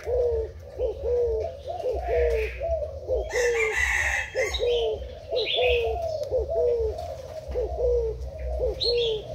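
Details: Spotted dove decoy bird of Thai stock, in the úp style, recorded 10 April 2018: low, repeated cooing phrases about once a second, with a brief loud crowing-like burst midway and faint higher chirps.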